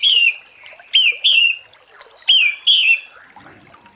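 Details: Orange-headed thrush in late-afternoon 'ngeplong' song, sung to draw other thrushes into singing: about eight loud, clear whistled notes, each sliding downward, in quick succession, then fading to a soft high note.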